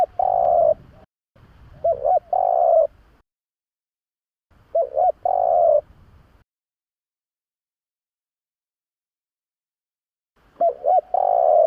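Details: Spotted dove call recorded for use as a lure to draw doves in for trapping: four low, mellow cooing phrases, each two quick short notes followed by a longer drawn-out coo, separated by silent gaps of one to four seconds.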